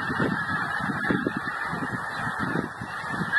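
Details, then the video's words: Geese on migration, a group honking continuously: short nasal honks in quick irregular bursts, several birds overlapping, with a constant hiss behind them. "Migrating Geese"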